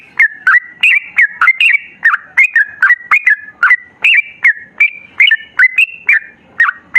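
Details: Sooty-headed bulbul giving a training song in the long 'ropel' style: short bright whistled notes, each dipping or jumping between two pitches, delivered in a quick, steady stream of about three per second with no background sounds.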